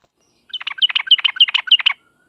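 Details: Brief sooty-headed bulbul lure song, 'uplik uplik' style, used to provoke answering birds: about ten crisp, rapid chirps with bright high accents, lasting one and a half seconds in a quiet setting.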